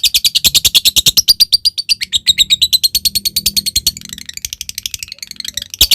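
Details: Lovebird ngekek: a long, fast chatter of sharp high chirps, about three per second, run together for six seconds, the rhythm loosening toward the end, used as a lure to call a rival lovebird into singing.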